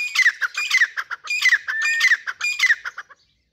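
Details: Grey francolin, Dhakni teetar of a pair, calling in loud harsh phrases that repeat roughly twice each second, rough and ringing, before tailing off into silence.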